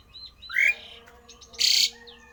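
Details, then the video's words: Rare odd song from a Javan pied starling, meant to provoke rival starlings: a rising squawk followed by a loud, broad hissing rasp, with faint whistled notes around them. "jalak uren suara aneh langka di jamin Jalak uren lain panas ikut gacor!!!!"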